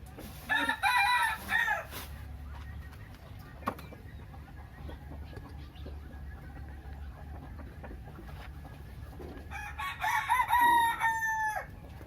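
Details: Free-range village roosters at a home in Uttaradit crowing against each other: one long harmonic crow at the start, a quiet stretch with faint clucks and knocks, then a second drawn-out crow near the end.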